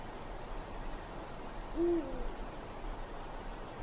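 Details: One short, deep Eurasian eagle-owl hoot rises briefly out of steady low hiss in a pitch-dark forest on a winter night.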